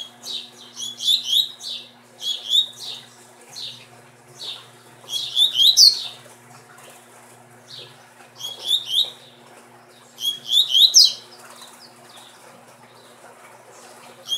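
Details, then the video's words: Double-collared seedeater (coleiro) of a bred genetic line giving quick bursts of sharp, buzzy and whistled notes in clustered phrases, several in quick succession then pauses of a few seconds, over a faint electrical hum. "Coleiro Super Maquina"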